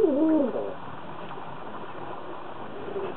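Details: One short, bending coo from a pair of kept doves said to be in love opens the moment, then near silence with a faint murmur at the end.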